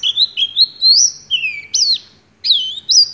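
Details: Oriental white-eye singing in the lively ngecrok style, its song filled with imitated white-rumped shama phrases: loud clear whistled notes, rising and falling slurs and sweeping upslurs in quick succession, a short pause, then more bright whistles.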